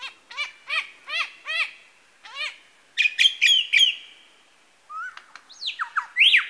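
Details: Lyrebird mimicking other birds at Masons Falls in Kinglake National Park; a male gives a run of repeated downward-sweeping notes in a steady series, then a burst of clustered sharp calls, a pause, and loud rising and falling whistles.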